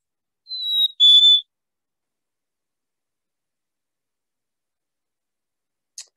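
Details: A Black-capped Chickadee gives a single clear two-note whistled song, a high, nearly level first note, then a slightly lower second, a song tied to the spring breeding season. A faint tick follows later.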